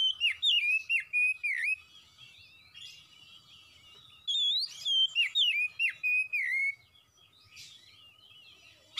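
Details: Oriental magpie-robin in vigorous song, two rapid bursts of loud, repeated whistled notes, each a sharp downward slur about three per second, separated by a quiet gap, with a final high note at the end.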